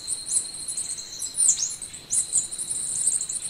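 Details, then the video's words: Golden-winged sparrow singing thin, very high twittering notes with a few sharp downward slurs, set against a constant high-pitched drone, probably from insects. "Canto do pássaro arremon schlegeli"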